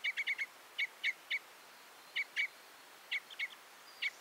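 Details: Crossbill giving a quick burst of four chips, then spaced single and paired metallic notes with longer silences between.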